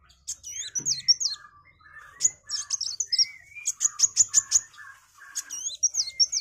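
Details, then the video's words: Sunbird in vigorous song, used as a tutor recording for magpie-robins: thin, high squeaky twisting notes and rapid sharp chips, with softer lower whistled phrases and a brief rising whistle in between. "MASTERAN KOWUL GACOR || KOLIBRI WULUNG, KOLIBRI WAYANG"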